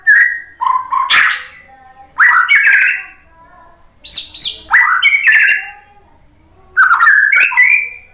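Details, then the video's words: Singing white-rumped shama, played to stir other birds into song: a jumble of clear whistles, sharp chirps and harsher buzzy notes in separate bursts with short silences. "KICAUAN MURAI BATU bikin NYAUT jadi GACOR NGEPLONG BONGKAR MATERI ISIAN ¦ PANCINGAN MURAI"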